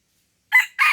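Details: Red junglefowl at Lamteuba, Aceh, during decoy trapping: a loud, abrupt crow fragment in two harsh, broad bursts separated by a short gap, cut off at the end, after silence.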